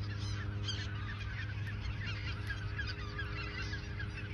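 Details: A flock of geese at the Ochsenmoor nature reserve in autumn, days before heading south, gives many overlapping honks with short, bright call notes over a constant low hum.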